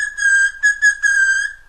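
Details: Pet Amazon parrot, kept indoors and known for wolf whistling, giving clear, pure whistled notes in a broken, level phrase of four connected segments.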